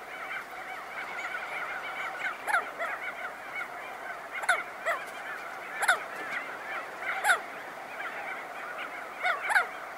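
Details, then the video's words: Crested auklets calling close by as they emerge from burrows, with wingbeats: honking colony chatter punctuated by sharp flapping bursts about every one to two seconds. "Crested Auklet. CU Calls And Wingbeats From Birds Emerging From Burrows."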